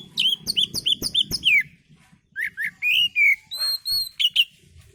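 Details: Relaxed Oriental magpie-robin song for luring birds: a quick series of bright whistled notes, a brief gap, then slower rich whistles and a high pure note.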